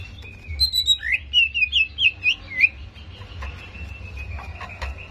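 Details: Greater green leafbird in a recording made to provoke aggression and simulate contest fighting: a burst of sliding, twisting whistled notes over about two seconds, then quieter background chirps.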